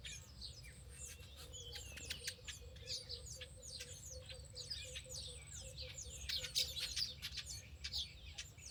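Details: Distant birds give many quick high chirps and sweeping whistles, scattered irregularly over a soft background with a faint continuous low hum.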